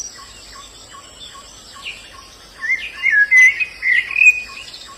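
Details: White-eye singing in the wild: a short burst of high, quick, twittering chirps in the second half, over a steady high insect drone and soft, evenly spaced lower notes from another caller.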